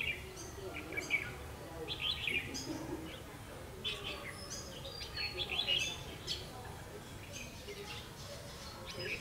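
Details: Red-whiskered bulbuls heard while trapping on 31 October 2016, repeated lively whistled phrases with quick chirpy notes, several bursts every couple of seconds against low constant background noise.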